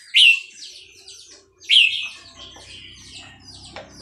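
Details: Burmese red-whiskered bulbul at Dan Singkhon producing two strong, bright warbled phrases in quick succession, each starting with a loud whistle and trailing into softer notes, then a faint hum.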